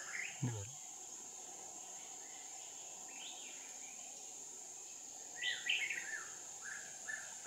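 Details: Decoy red-whiskered bulbul singing to attract wild birds during a trapping session on 5 May 2019: separated bright warbling phrases, one richer burst near the end, a low thump early on, and continuous shrill insect buzzing.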